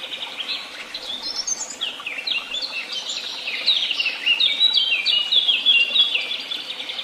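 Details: Mixed birdsong at Tehidy Woods, many voices at once: rapid high twittering, short sliding whistles and trills stacked over each other, growing fuller and louder in the second half, over faint rural background noise.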